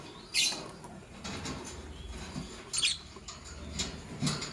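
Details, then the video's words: Caged lovebirds, a green Fischer's and a pastel blue, in the morning: two bright, sharp high chirps about two and a half seconds apart, with soft rustling and light tapping in between. "Lovebird Chirping Sounds"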